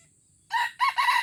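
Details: Red junglefowl from Aceh, Indonesia, heard during a first lure test: a loud, clipped crow of three harsh, harmonic syllables, the last two joined, rising out of near silence.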